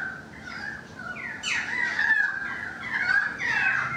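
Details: Currawong song heard from a balcony: quieter opening whistles, then loud swooping notes with bright upper tones, ending in rising and falling ringing phrases.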